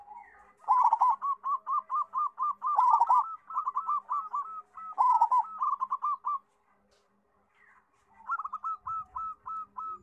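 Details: Local zebra dove with a big voice, a tutor bird for raw doves, giving long cooing phrases. Stuttered rolled notes lead into rapid strings of clipped hooked coos. A second, quieter phrase follows after a short gap.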